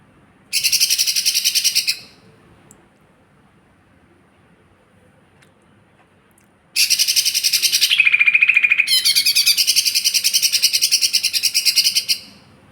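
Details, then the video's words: Lesser green leafbird, a small fighter bird, singing two bursts of very high, rapid buzzy trilling: a short one, then after a silence a longer five-second run with a brief change of tone midway. "cucak ijo mini fighter"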